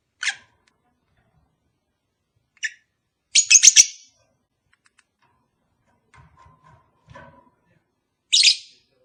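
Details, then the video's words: Pet lovebirds, a pair not yet mated: scattered sharp high chirps and a short shrill chattering burst, with faint low knocking sounds in between. "Cara ampuh untuk memikat sepasang burung agar cepat kawin"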